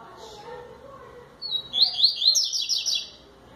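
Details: Coleiro baiano giving the 'tui tui zel zel' song after faint voices: a thin high whistle, then a quick rhythmic chain of bright, buzzy trilled notes rolling on for nearly two seconds.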